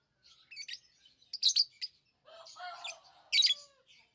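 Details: Shrill lovebird chirps in clusters, with a lower rasping, wavering note that falls slowly in the middle, then a final loud burst of squeaks.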